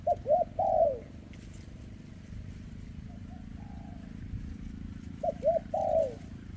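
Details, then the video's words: Spotted dove, trembling-legged bird from 2024, sings dense kem ruoc coos: two crisp hooked notes and a long falling coo, a quieter soft phrase between, the loud pattern returning about five seconds later over low hum. "Chú Chim Có Tặt Có Tài , Siêu Phẩm 2024 Kèm Rước Siêu Dầy ( Chim Bị Rẩy Giò )"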